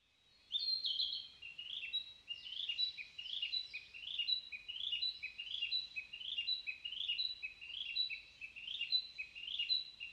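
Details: Narcissus flycatcher singing in a morning forest: a continuous run of clear, high whistled and slurred notes, phrases repeated roughly every second, steady and bright with a quiet background.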